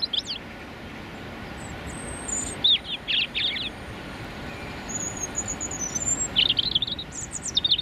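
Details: A male European robin delivers territorial song beside London's morning rush-hour traffic on a cold January day with northerly wind; sparse high thin whistles and short warbling bursts separated by pauses, constant low road noise.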